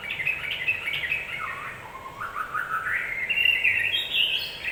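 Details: Yellow-vented bulbul singing, a provocation sound for stirring other birds to anger: a continuous bubbly warble dips lower midway, then climbs to brighter, higher notes, over faint background hiss.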